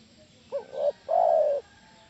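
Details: Lure call of a spotted dove meant to make other doves reply, heard as a brief stuttered two-part note and then a drawn-out, throaty, gently descending coo lasting about half a second, with faint low hum behind.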